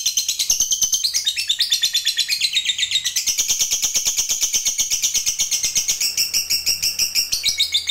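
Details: Long 'ngekek' trill from a fighter lovebird, played to provoke other lovebirds into singing, a fast, unbroken stream of shrill, buzzy chattering pulses that shifts higher and lower without pause.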